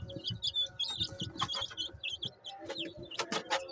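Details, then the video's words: Long Tail Duckwing Silver Phoenix chicks, a fancy chicken breed, give high, short peeps that slide downward, scattered irregularly over a background of low thumps and shuffling. "Long Tail Duckwing Silver Phoenix Chicks"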